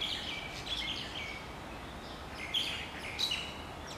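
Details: Mother hen with her chicks among wild chickens in Hawaii: thin high chirps, several falling in pitch, tumbling in loose groups over steady low ambient noise outdoors.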